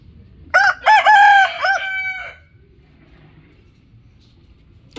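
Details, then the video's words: Rooster crowing loudly: one harmonic, rasping crow of about two seconds in several segments, ending with a drawn-out fading tail, over quiet low rumble. "Amazing rooster crowing | Rooster calling loudly"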